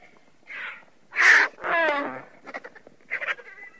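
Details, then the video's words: Griffon vulture making a brief rasp, a loud harsh squawk and a throaty, ratcheting croak, followed by quieter clicking grunts. "Sęp. Odgłosy Sępa. Dźwięki jakie wydają Sępy"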